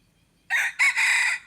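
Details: Red junglefowl used as a decoy to lure wild junglefowl, recorded 10 March 2022: one loud, clipped crow in two parts, a short burst and then a longer, harsh, sustained note, over quiet background.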